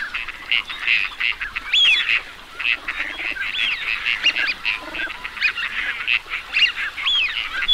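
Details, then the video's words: A crowd of teal keeps up a busy clamor of overlapping nasal quacks and honks, with thin whistled notes rising and falling through it, steady for the whole stretch. "Teal duck Sound"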